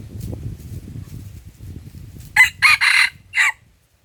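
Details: Wild red junglefowl crowing in Lamteuba, Aceh, Indonesia, while being lured to a decoy for trapping; low rustling and shuffling sounds lead into a loud, abrupt crow of four strident, clipped syllables lasting about one second.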